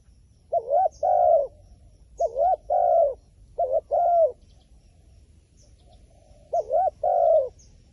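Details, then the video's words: Wild pigeon giving paired coos, a quick wavering note then a longer falling one. The pairs come in groups with a silent gap of about two seconds mid-way, and faint distant bird chirps are heard. "ប៉ះហើយលលកព្រៃបណ្ឌិត ធ្នាក់ធ្វើដាច់ខ្យល់"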